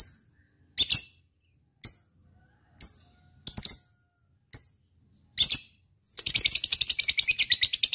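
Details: Lovebird giving spaced single high sharp chirps about once a second, some doubled, ending in a short fast shrill rattling trill.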